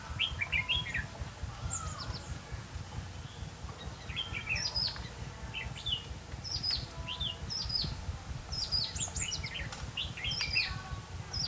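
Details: Red-whiskered bulbul singing as a decoy bird during trapping in Vietnam: repeated short, lilting whistled phrases with quick up-and-down notes, delivered every second or so over a constant low rumble.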